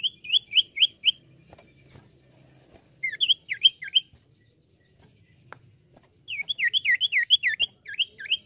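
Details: Common iora song used as a lure recording: three bursts of quick, sharply downslurred whistled notes, four to seven notes each, separated by short pauses over a faint low hum.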